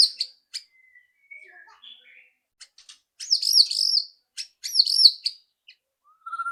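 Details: Loud rattling shama song meant to get a bird singing fast: scratchy high ticks, a soft whistle, then bursts of buzzy, looping high notes, ending on a low clear whistle.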